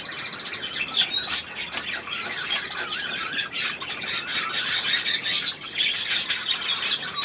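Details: Among a flock of budgerigars, including one bird called the Berliner, a stream of harsh squawks, squeals and rapid pulsed chatter continues with many birds calling at once.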